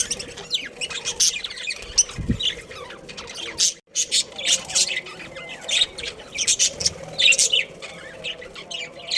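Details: Breeding pair of budgerigars, Australian parrots kept as a budgie family, producing sharp high chirps and scratchy warbled notes in irregular clusters, with a brief low thump midway.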